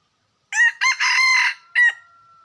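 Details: A loud, close crow of a wild red junglefowl, split into four bursts: short, short, long and steady, then a short final note. A thin tone lingers afterward.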